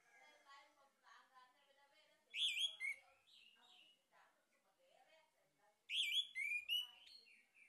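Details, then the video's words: Lure recording of a male orange-headed thrush, meant to stimulate other birds to sing. Soft, varied warbling runs under two loud bursts of rich whistled notes, each a rapid tumbling phrase of rising and falling tones. "PANCINGAN ANIS MERAH JANTAN PALING POPULER"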